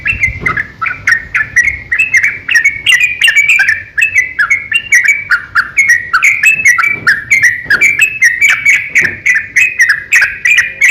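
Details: Sooty-headed bulbul giving a long fighting song, used as a lure to prompt other bulbuls to sing: unbroken rhythmic stream of lively slurred chirps, each note clicking then gliding, over eleven seconds.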